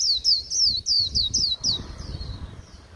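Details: Freshly caught wild white-eye, late in the season, delivering a bland líu song: six loud, crisp, descending high whistles in quick succession, then trailing softer notes fading away above quiet low rumble.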